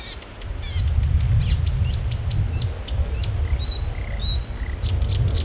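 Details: Imitating other birds, a marsh warbler pours out quick chattering notes, buzzy slurs and clear thin whistles in a varied, restless phrase, with constant low rumbling in the background.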